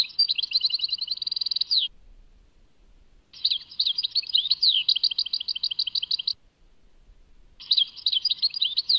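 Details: Goldfinch song linked to Tadmait, Algeria, in three phrases: an opening rapid trill ending in a drop, then a run of slurred downward twitters, then a brief final burst, with quiet pauses between.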